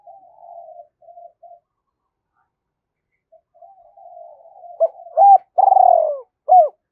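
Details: Spotted dove decoy bird giving the Hai Hậu-style calling coo used to stir wild doves: soft low hooting notes with pauses, then a loud phrase of short hooked coos and one long rolling, falling coo.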